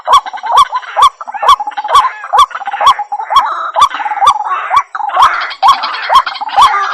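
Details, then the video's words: White-breasted waterhen giving a steady run of harsh, nasal, hooked notes, about two per second, repeated evenly for seven seconds with no other clear sounds. "suara burung ruak"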